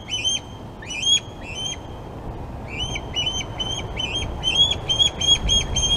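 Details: Glaslyn osprey nest, 26 August, during feeding with fish for two young: a few spaced, sharp whistled chirps, then a fast, excited string of rising chirps.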